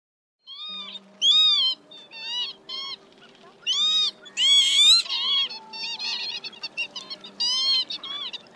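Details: Northern lapwing calls used as a lure for night-net trapping of migrating birds in March, meant to draw a flock of males and females: nasal, wheezy slurred notes in short bursts, often overlapping, with pauses between groups and a faint steady low hum.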